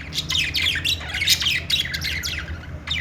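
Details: Several pet budgies make happy sounds: a continuous chatter of loud, harsh, squawky chirps, many sweeping downward, overlapping in quick irregular succession with a low hum underneath.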